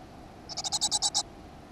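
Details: Great tit at a nest box in a school garden on 7 June 2015: a short burst of seven rapid, harsh, raspy pulses within about three-quarters of a second, then quiet.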